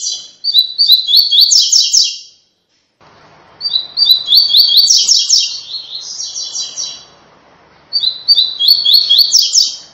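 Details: Captive-training "tui tui" song of a rusty-collared seedeater: long runs of quick, buzzy high notes repeated in phrases, rising slightly toward each phrase's end, with faint low background hum between them.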